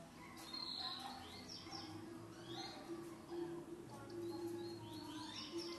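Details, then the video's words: A Green-winged saltator (trinca-ferro) sings an unusual song variant of unknown type: quick whistled slurs, rising and falling, run together in busy phrases over a steady low hum. "TRINCA-FERRO CANTO DIFERENCIADO"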